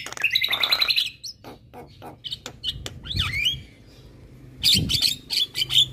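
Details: Javan myna chattering nonstop on a tutor recording: a dense buzzy trill, scattered chacks and a looping slurred whistle, ending in loud bursts of high chirps.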